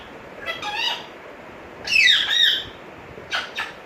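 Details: Captive African grey parrot in a home, known for talking, whistling and calling names; a few scattered harsh, speech-like squawks with a sliding whistled middle call and two short clipped notes at the end.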